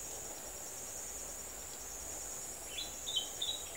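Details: Buff-faced Pygmy Parrot at its nest gives a few thin, high, squeaky notes near the end, over a steady high insect drone.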